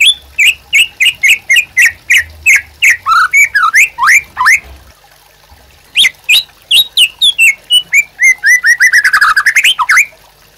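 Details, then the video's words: White-rumped shama singing as a master song for training captive birds: loud rapid series of sharp rising notes, then a pause and a fast varied run of whistled and chattering phrases. "MURAI BATU GACOR UNTUK PANCINGAN DAN MASTERAN"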